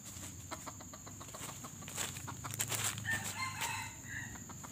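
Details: Red junglefowl of a pale, white-legged type used as a decoy to lure wild birds during trapping; faint harmonic crowing notes rise around the middle over steady low hum and scattered clicks.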